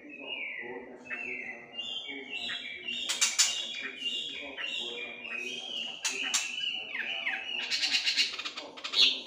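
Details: Melodious laughingthrush song used for training birds to sing actively: steady, level whistled notes stepping between pitches, broken by sharp clicking bursts, over a low background murmur.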